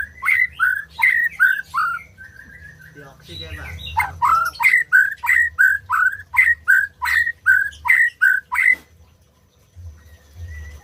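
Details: {'caption': 'Song of a white-rumped shama, used to make silent birds sing: long runs of loud, evenly paced downslurred whistles, roughly three per second, broken by a brief buzzy scratchy passage.'}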